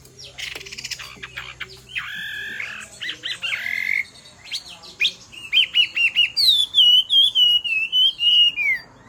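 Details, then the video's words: Hwamei singing as the female stimulates the male: harsh buzzy bursts open the phrase, then quick repeated whistled notes, ending in a long wavering clear whistle that slides down at the close. "Hoạ Mi Hót Rả Rích Nghe Cực Thích/ Tiếng Chim Hoạ Mi Hót Kích Bổi Nhanh Sổ Giọng"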